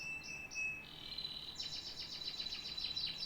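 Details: Canary song opening with high whistled notes and a sustained tone, then shifting into a quick series of descending sweeping trills, with a low background hum.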